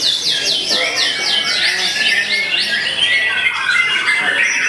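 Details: Caged white-rumped shama at a singing contest, known for its loud volume and full 'tembakan' shots. It gives rapid, repeated, descending whistled sweeps, about five a second, then varied chattering phrases over a dense chorus of other birds.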